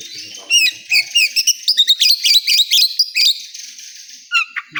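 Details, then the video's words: Oriental magpie-robin singing at a bird-singing contest area: a rapid, varied run of high whistles, slurred notes and sharp chips, delivered in quick bursts about every quarter second, with faint background murmur. "Suara kacer di area lomba"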